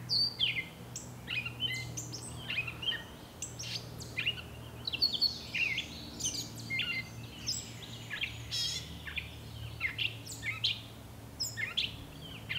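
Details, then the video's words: A Gray Catbird sings from bushes: a long, rambling run of varied squeaky, chattering and whistled phrases, each a different quick jumble, over a steady low background hum. "Gray Catbird Singing"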